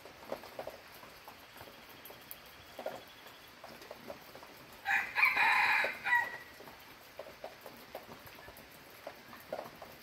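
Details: Red junglefowl crowing once, a loud harsh harmonic crow of about one and a half seconds with a break near its end, set against faint scattered clicks and soft background patter.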